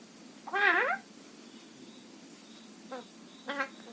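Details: A pet parrot kept at home in Assam gives one loud, drawn-out wavering squawk that bends up and down, followed after a pause by two shorter, softer rasping calls.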